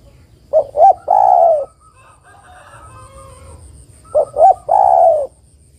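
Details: Female spotted dove calling to a male, used as a lure: two phrases of low coos, each two short hooting notes followed by one long drawn-out coo, the phrase repeated about three and a half seconds later in a quiet setting.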